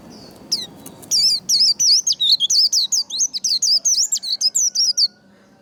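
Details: Trained white-eye delivering a long, fast run of high, clear whistled notes, each with a quick up-down slur, nearly twenty in about four seconds after a few short opening chips; faint background rumble.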